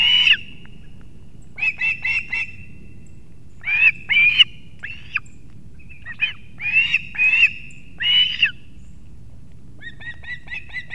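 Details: At a wild osprey nest in Kurzeme, Latvia, on a September 2024 morning, the male arrives carrying two fish for the chicks; sharp high whistled cheeps in clusters of two to four, separated by short silences.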